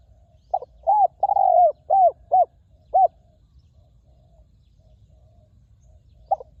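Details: Spotted dove, a wild bird with a resonant voice, calling at a ground decoy: a quick run of six rounded, arching coos with one drawn-out note, a pause of three seconds, then a single coo.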